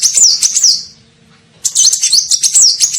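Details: High-pitched sunbird twittering used as a lure to attract birds, local name kolibri ninja: a run of fast, piercing notes, a short pause, then another rapid chattering burst.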